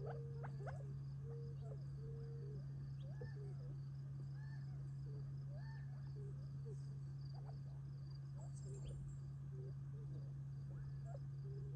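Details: Flock of Gambel's quail eating on family property near Tularosa Creek, July 2021, before going to roost for the night; scattered short level and upturned notes, loose and irregular, with a constant low hum and a rhythmic insect chorus.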